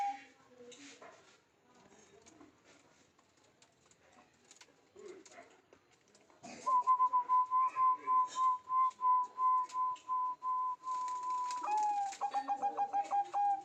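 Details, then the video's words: Zebra dove, a lively calling bird: a long steady whistled tone near one pitch, then a rapid run of short repeated coo notes, with faint background voices and noises before it starts. "Perkutut Rajin Bunyi"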